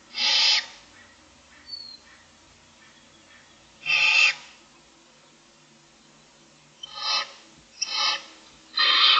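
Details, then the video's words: Six Barn owl owlets in a nest box, about 25 days after hatching, looking for food in the morning, give harsh, breathy snoring hisses. Each is about half a second long, in irregular bursts spaced one to four seconds apart. "Barn Owls : 6 owlets looking for food"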